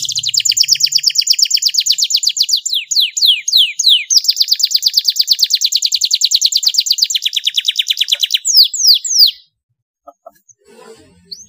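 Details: Canary masteran song full of fast tembakan and elaborate cengkok: long rapid trill, brief series of falling sweeps, another sustained trill, then quick downward whistles before ending in near silence.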